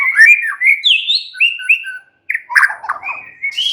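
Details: Relaxed song of a white-rumped shama: clear looping whistles that slide up and down, a brief gap, then a harsh chattering burst followed by bright sustained whistled notes and a raspy ending.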